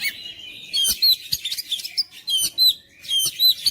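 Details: Kacer song used to stir lazy, silent birds into constant singing: repeated loud bursts of clear high whistles and buzzy chatter, each lasting under half a second, with short pauses between.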